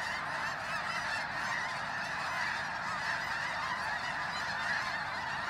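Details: Pre-dawn fly-in of thousands of snow geese at Bosque del Apache, New Mexico, on a freezing morning. A dense honking chorus, with some louder individual calls standing out now and then, continues throughout.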